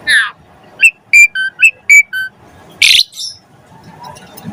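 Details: Asian pied starling singing to prompt other birds: a buzzy downslurred note, then a run of short clear whistles, followed by a harsh rasping burst and softer chatter.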